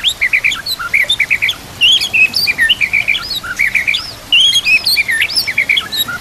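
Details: White-rumped shama in rich, fast song: rapid rattling trills and swooping whistled phrases, high and varied, in bursts with brief pauses, over natural background sounds and trickling water.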